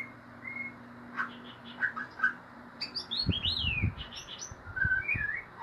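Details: White-rumped shama singing in the ngeriwik style: varied clear whistled notes and short upslurred and downslurred phrases, some high and sweeping, with soft thumping knocks underneath in the second half.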